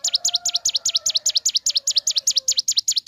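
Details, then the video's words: Ciblek gunung singing in the morning: rapid high chirps, each a quick down-and-up sweep, repeated without pause over a soft lower whistled tone from another bird. "Suara Asli Ciblek Gunung Gacor Pagi Hari"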